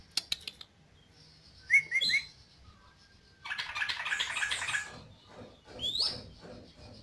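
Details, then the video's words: Yellow-vented bulbul singing actively: a few short sharp notes near the start, then a dense burst of bubbly, chattering notes lasting over a second, ending in a rising whistled slur. "Suara Burung Trucuk Gacor"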